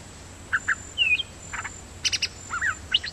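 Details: Dok Taeng bird singing a decoy song with a frequent lak-boen style. Scattered short chirps and a few rising, looping whistled notes at mid-high pitch, spaced irregularly, with a faint steady high hiss behind.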